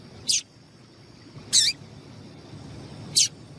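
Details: Female seedeater, known locally as papa-capim, calling in Brazil, a call used to excite the male into singing: three brief, very high piping notes spaced about one and a half seconds apart over a steady low hum.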